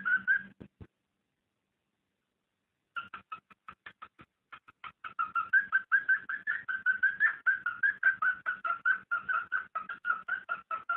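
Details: Cockatiel mating call played to stimulate breeding: a few short whistled notes, a pause of about two seconds, then a steady stream of rapid, repeated whistled pulses, roughly two to three each second, at a fairly even mid pitch.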